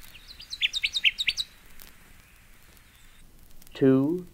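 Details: Connecticut Warbler song: a quick run of loud, emphatic chipping notes repeated about seven times in just over a second. Quiet hiss follows, then a man's voice speaks briefly at the end.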